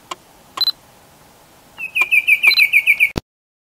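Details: Bicolored antvireo (Dysithamnus occidentalis) in Colombia, a brisk level rattle of about ten high notes lasting over a second, preceded by scattered clicks and a brief thin whistle, the recording cut off sharply after the trill.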